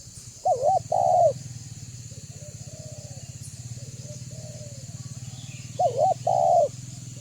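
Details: Banggo-style spotted dove calling as a lure for other doves: a loud wavering coo followed by a sustained note, soft fainter coos in between, then the loud phrase again, with a constant low throbbing hum and high hiss.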